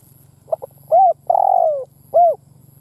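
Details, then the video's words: Decoy spotted dove giving urging and cooing calls. Two short soft notes lead into an arched coo, a long drawn-out falling coo, and a final arched coo, over a faint low rumble. "Tiếng Chim Cu Mồi Đất Thúc gù gáy"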